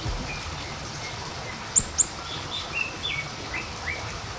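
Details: Small minivet lure call: two sharp, very high notes in quick succession, followed by several softer, lower sliding chirps, with faint background hiss.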